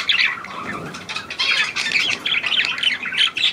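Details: A hand-tame Australian pied budgerigar, a new bird, warbles steadily in a high, buzzy stream of short twittering notes with small whistled inflections.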